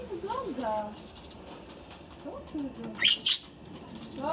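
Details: Budgerigars in an aviary chatter in a rambling, squeaky warble broken by a few sharp, high chirps.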